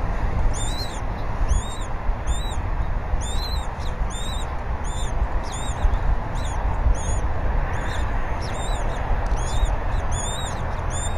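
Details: Bald eagles at their nest at Berry College, 20 February 2019, around 10:40 AM, the female feeding the eaglet fish the male brought: a long run of sharp high chirps with sliding pitch, roughly every half second, over rumbling wind.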